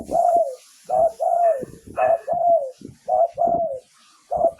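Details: Spotted dove used for luring wild doves in Thailand, rapid run of loud, deep coos, short and longer hollow notes tumbling one after another with barely a pause, over a faint background hiss.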